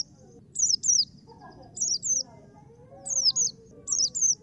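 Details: Paired high, thin descending whistles from a black-capped white-eye, given in short groups about once a second over a quiet, low murmur.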